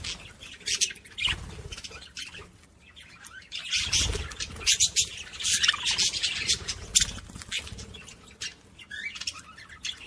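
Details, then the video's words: Budgerigar song played to stimulate other budgies: dense, continuous warbling chatter of rapid high squeaks, chirps and scratchy notes, overlapping throughout with brief quieter gaps. "صوت بادجي لتحفيز طيور البادجي العاشق والمعشوق"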